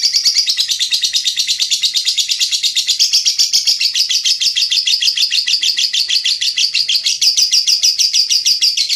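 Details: Caged lovebird singing loud, tightly packed song meant for tutoring songbirds: an unbroken stream of shrill, fast chirps repeated roughly twice each second throughout.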